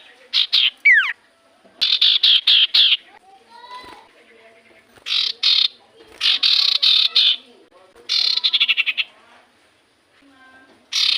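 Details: Common iora lure recording to provoke silent birds into answering: loud clusters of rapid, harsh, buzzy chattering notes in bursts of about a second, separated by short gaps, with a few brief down-slurred whistles.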